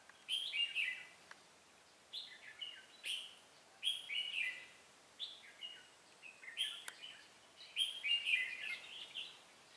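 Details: Red-whiskered bulbul heard during bulbul trapping: short phrases of warbled, slurred whistled notes repeated every second or so, fairly quiet against a steady hiss.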